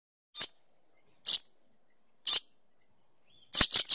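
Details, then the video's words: Dusky lory (Pseudeos) gives harsh, high screeches, three spaced about a second apart, then a rapid burst of three, against an otherwise quiet background. "Dusky Lory Bird Call"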